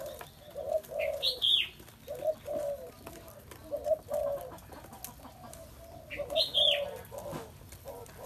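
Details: Low, soft cooing phrases from a spotted dove, each of two or three hollow notes, repeated across the recording, with two bright, high chirps from another bird breaking in.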